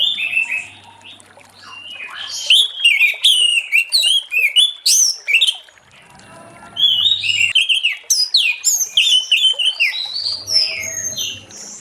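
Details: An Orange-headed thrush sings in the late afternoon, its song used to coax other thrushes into singing; rich, rapid whistles, trills and flicked notes pour out in two long loud bursts separated by a brief quieter gap, over a faint low hum.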